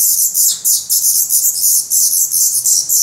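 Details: Feathered Black Redstart nestlings, hungry in their nest in Portugal, May 2020, begging nonstop: a steady stream of very high, raspy chirps pulsing about four times per second.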